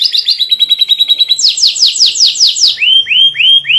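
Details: White canary singing as a tutor for young canaries: a fast even trill of short notes, then a run of sweeping descending notes, ending in slower rising whistled notes repeated about every half second.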